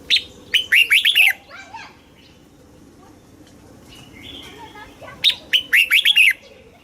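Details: Red-whiskered bulbul, a caged Thai songbird, gives southern master-style song used to stimulate caged birds and tutor chicks. Two loud phrases of five or six quick, bright whistled notes each are separated by a quieter, softer warbling interval.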